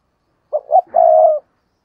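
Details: Spotted dove used as a decoy bird to lure other doves, giving a short cooing phrase: two quick low notes followed by a longer, steady drawn-out coo, clean and isolated.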